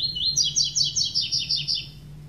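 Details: Double-collared seedeater singing the tui-tui classic song without the third note: a few slurred rising whistles, then a fast run of bright, buzzy, ringing notes descending in steps. A steady low hum sits underneath.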